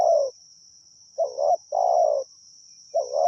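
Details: Spotted dove cooing during decoy calling at Pa Roi, with low mellow coos: a short two-part phrase followed by a longer rolling coo, over a steady high whine in the background.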